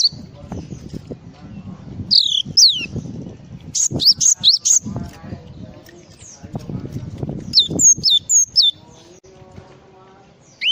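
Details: Java sparrow in full 'isian' song, delivering bursts of high, quick, slurred chirps and sharp peaked notes interspersed with clicks, against intermittent low noises and faint voices.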